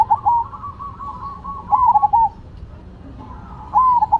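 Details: Zebra doves, Cemani and Silver varieties, in lively singing: three loud, rolling cooing phrases, each a quick run of beaded notes ending in a stutter, spaced about every two seconds, with a softer dove cooing in the background.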